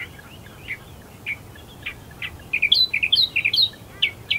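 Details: Australian reed warbler calling among reeds at first light at Herdsman Lake, Perth, Western Australia: soft scattered chirps, then a louder run of rich, repeated warbled notes in the second half against quiet background hum.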